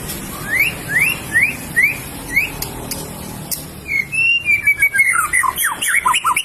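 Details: White-rumped shama in full, vigorous song: five rising whistled slurs spaced about half a second apart, a few sharp clicks, then a rush of fast, varied whistles and chattering notes.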